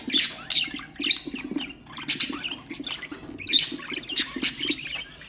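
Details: Ornamental budgerigars chattering to stimulate other birds: loud clusters of harsh chirps and warbles every second or so, with a brief thin whistle and an underlying low hum.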